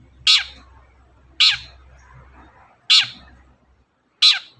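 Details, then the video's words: Long-tailed shrike giving a lively provoking song meant to get other birds singing; four harsh, rasping bursts, each sharp at onset and fading quickly, spaced roughly one and a half seconds apart with near silence between. "suara pancingan burung cendet"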